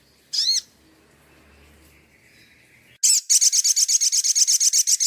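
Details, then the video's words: High crimson sunbird song from a training master: a short warbled, rising and falling phrase, a pause with faint twittering, then a sudden fast trill of quick, ringing notes. "Dasyatnya MASTERAN INI ‼️SOGON LANGSUNG NGLEPER ‼️"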